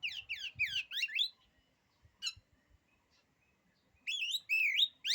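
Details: Kacer, the oriental magpie-robin, giving a song said to unnerve other kacer: a fast series of buzzy sweeping notes, a short pause with faint clicks, then loud rising and falling whistles.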